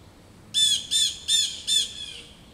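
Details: Harsh scolding from blue jays annoyed by an adult male osprey roosting in a back yard: four loud, raspy, harmonic-rich calls evenly spaced roughly every 0.4 seconds, then quiet.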